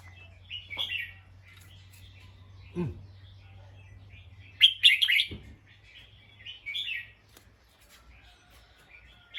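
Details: Alarmed bulbul, alert after hearing a noise, repeating short bursts of rough, chattering chirps every second or two, one louder crackling volley midway, with a couple of low thuds and a constant faint hum behind.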